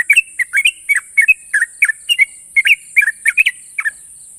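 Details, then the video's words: Sooty-headed bulbul, a national champion bird, pours out long sharp ropel phrases: clipped chirps rising and falling in quick succession, with a short gap near the end and constant hiss. "burung trucukan juara nasional ropel panjang dan tajam"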